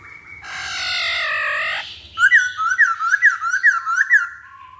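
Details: Masked laughingthrush in a lure recording for prompting other birds: a harsh, rich, drawn-out note lasting over a second, then a rhythmic series of about seven loud, clear whistled notes.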